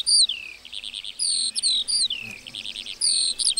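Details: Lark song from a meadow, a lively run of high whistles, falling slurs and quick trilled bursts, the phrases linked almost without pause.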